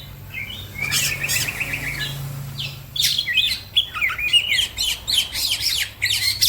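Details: Green leafbird singing amid other birds: a warbled, wavering whistled run at first, then bursts of quick chattering notes and high sharp chips packed closely together, growing busier toward the end over a low hum.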